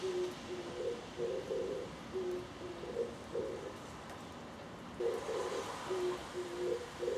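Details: An Oriental turtle dove (Streptopelia orientalis) singing on a power line near a home balcony, between preening bouts, coos a low, hoarse four-note phrase, repeated after a pause, over a steady background hiss.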